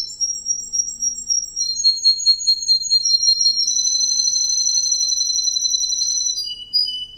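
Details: Green canary song: long pure high whistles and fast rolling trills, switching pitch from phrase to phrase, with a sustained buzzy roll in the middle, on a quiet background.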